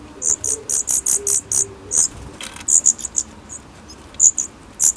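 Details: Baby Daurian redstarts leaving their nest for the first time give quick bursts of shrill, high-pitched notes, several in a row, then a pause and scattered sharper single notes.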